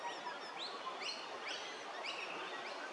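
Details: Scaly-breasted lorikeets (Trichoglossus chlorolepidotus) at Hervey Bay, Queensland: several birds overlapping in shrill, screechy notes in quick bursts over a steady hiss of background chatter.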